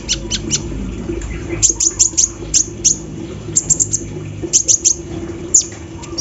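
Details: Sunbird known locally as kolibri ninja, singing hard while set out in the morning dew, with embroidery-machine mimicry in its song; sharp high-pitched chips in quick clusters of two to four, separated by brief pauses, over a faint background hum.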